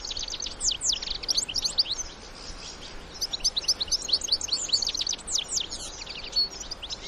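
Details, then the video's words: European goldfinch adults with young in the wild: rapid bright twittering of high chirps and short trills in lively bursts, a brief pause near the middle, then a dense burst of overlapping notes, over faint outdoor background noise. "الحسون وصغاره في الطبيعة مع تغريد وبتبتة خلوية"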